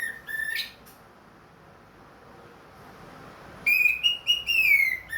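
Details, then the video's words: Ringed captive orange-headed thrush singing again after its moult. A brief warbled phrase is followed by silence, then a sustained series of loud, bright whistles that rise and fall in pitch. "MERANGSANG ANIS MERAH BUNYI PLONG"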